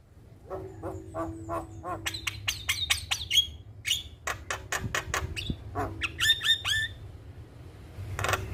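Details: Sequence of rapid clicking, chattering notes from an Asian pied starling, broken by brief high whistles and a harsh squawk near the end, over a low rumble.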